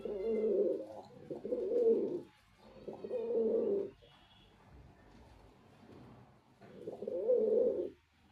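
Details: Low, rolling coos from a male white pigeon, delivered in four throaty bursts of roughly a second each, separated by short pauses, indoors.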